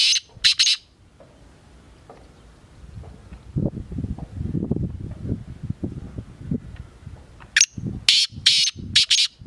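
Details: Black francolin, the kala teetar, with two rough notes at the start. After several seconds of low rustling and wind-like noise, a full grating phrase follows: a thin rising note and four harsh buzzy bursts.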